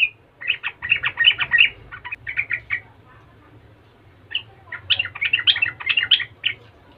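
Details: Yellow-vented bulbul singing in a lively, prolific style meant to provoke other bulbuls to reply. Two dense bursts of quick bubbly, gurgling notes are separated by a short pause, with a faint low hum underneath.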